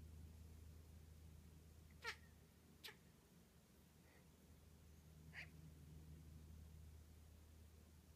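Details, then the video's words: A bald eagle sneezes three times in quick, sharp, breathy bursts, two close together and a third a few seconds later, over a steady low hum. "Eagle Sneezes"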